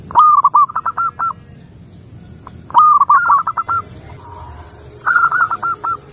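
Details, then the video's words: Local zebra dove, a Majapahit-line bird, singing energetically: three phrases of a loud, clear cooing opening note followed by rapid stuttering coos, about two seconds apart. "PERKUTUT LOKAL MAJAPAHIT MANGGUNG GACOR.!!!"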